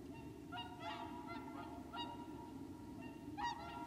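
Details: Wintering whooper swans at Lac du Der, Champagne, France, late January 2014, giving a loose series of bugling, nasal honks, several birds calling in overlapping bursts over a constant low rumble of wind or distant noise.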